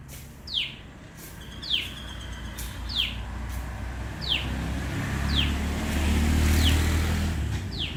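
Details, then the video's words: A common tailorbird repeats a sharp, high, downslurred note about once a second over a steady low traffic rumble. "សំលេងចាបតេត (Common tailor bird sound)"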